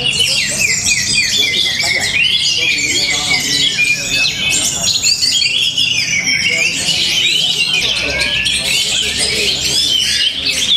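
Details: Orange-headed thrush from Tabanan, Bali, Indonesia, a hobby songbird showing strong rhythm and power over a long, unbroken passage of fast, varied high chirps, twitters and swooping whistled slurs.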